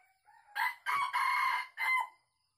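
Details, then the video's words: A wild red junglefowl in an oil palm plantation, recorded while luring on 12 August 2021, gives one short, hoarse crow of about four clipped syllables, harsh and bright, with a rising lead-in and an abrupt, shortened end. "Suara KOKOK Ayam Hutan ASLI"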